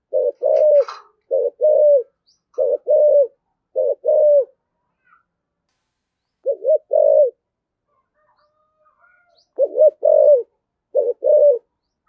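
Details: Spotted dove cooing intensely in the 'thổ sấm' voice style. About eight low, rounded coo phrases, each a stuttered double note and a longer held tone, repeat quickly roughly every second, with one short pause midway.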